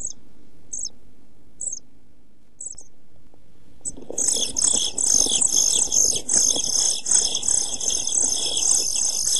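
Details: European pied flycatcher chicks, 11-12 days old, in a nest box on 29 June 2013 shortly before fledging: a few sparse, high calls, then an abrupt, loud, continuous shrill chorus with scuffling noises.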